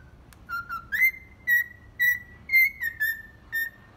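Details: Cockatiel kept as a pet performs the folk tune 'Atirei o pau no gato', a little out of tune. About eight bright whistled notes follow one another, roughly two per second, each held briefly with small upward and downward slides.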